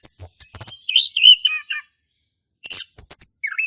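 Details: Singing male orange-headed thrush in the ngeplong style, meant to coax a silent thrush into song: a fast burst of high chirped and whistled notes, a second-long silence, then more sharp notes ending in a falling whistle.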